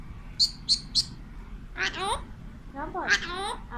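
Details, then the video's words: Alexandrine parakeet, a playful, talkative pet male that speaks Urdu and Hindi, talking to a mirror: three quick sharp high chirps, then two bursts of harsh, throaty, word-like mimicked speech. "Alexandrine Parrot Talking"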